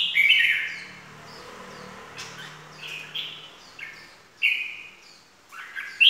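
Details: Stimulating lure of a red-whiskered bulbul in 'ché' style: short sweet whistled phrases separated by pauses, louder bursts at the start, mid-clip and end, with a low droning hum in the first half.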